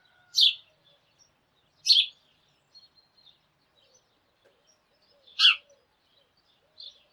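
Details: Morning sparrow flock: scattered loud chirps, two close together and then one after a long gap, with soft ticking and a distant thin whistle between them.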